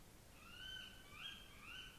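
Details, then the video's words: A tawny owl (Strix aluco) gives three faint, high, squealing calls that rise and fall, spaced about half a second apart, over soft background hiss. "Coruja do mato Strix aluco"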